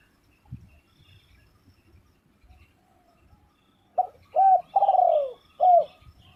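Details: Spotted dove calling: after about four seconds of near quiet with faint low thumps comes a short burst of four mid-pitched coos, the third the longest and gently falling in pitch.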